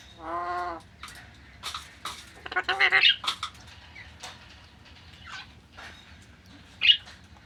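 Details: Alexandrine parakeet, locally called paharhi tota: a short nasal, ringing squawk opens, followed by scattered harsh, scratchy screeches and clicks with quiet spells between them.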